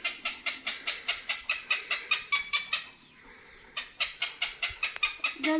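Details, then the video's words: A heron in the Philippines gives its mating call, a fast run of harsh, clipped notes, about two or three per second, with a brief pause partway through. "Why is this heron making this sound?"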